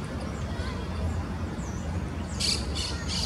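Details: Red-crested cardinal foraging in Buenos Aires city on 20 May 2023 gives three sharp, high chips in quick succession near the end, over a steady low rumble of city traffic.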